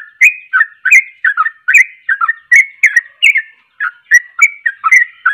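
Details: A sooty-headed bulbul sings hard to set other bulbuls off, giving bubbly whistled notes in uneven clusters, each phrase a quick downward then upward slur, with brief gaps between groups.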